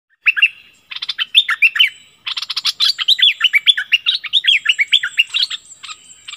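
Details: Streak-eared bulbul kept as a decoy bird, recorded 16 February 2021, singing so that wild birds are said to vanish. A dense run of quick, bright chirping notes jumping up and down, with short pauses between bursts.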